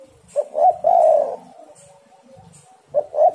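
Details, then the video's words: Spotted dove song used as a lure: two short notes and a long, slightly wavering coo, then the next phrase begins. A faint second caller and soft background sounds are also heard. "tekukur super gacor saling memanas"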